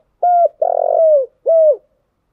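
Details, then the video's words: Lure-bird song of a spotted dove, used to stir and train decoy birds: a smooth level coo, then a long rough burring coo that slides down, then another clear coo dropping at its end. "tiếng cu gáy thúc bổi căng lửa và gáy goi bao sung, Tiếng cu gáy mồi chuẩn"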